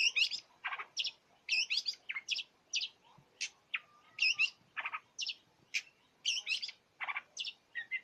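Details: Varied, busy song of a long-tailed shrike imitating many other birds, a rapid string of sharp chirps, buzzy rattles and brief whistles, phrases changing constantly with barely a pause.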